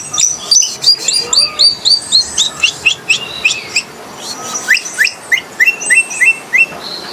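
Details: Coleto, also called kuling, a starling found only in the Philippines, giving rapid chattering bursts of high bent whistles and clicks. The notes come about three per second, with a brief lull partway through.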